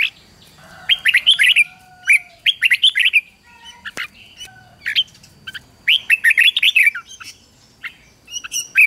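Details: Morning song of a red-whiskered bulbul, played to coach wild-caught young birds into heated competitive singing; rapid clusters of sweet rising-falling whistles arrive in bursts of three to five notes, separated by brief quiet gaps and a sharp click.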